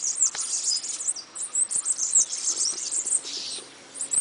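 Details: High, hissing bananaquit song of rapid squeaky chips and buzzy trills packed together, pulsing in short bursts before a brief lull near the end.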